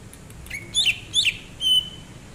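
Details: Greater green leafbird song during rest, recorded January 2022: a soft whistle, two loud buzzy chirping phrases half a second apart, then a sustained bright whistled note.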